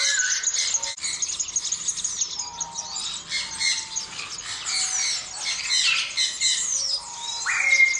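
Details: Southern red bishops produce a continuous high twittering and sizzling chatter. Scattered low whistles run underneath, and a sharper rising note comes near the end.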